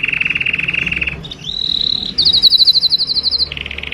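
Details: Mating song of a canary with quickly changing tours: a fast buzzy trill, a smooth rising whistle, then a very high rapid pulsed trill and a lower rattling roll, over faint background hum.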